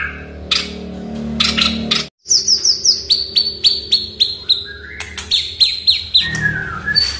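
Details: Oriental magpie-robin song played as a prompt for a silent bird. After harsh bursts, a rapid rhythmic series of bright descending whistled notes repeats several times a second, ending with longer sliding whistles.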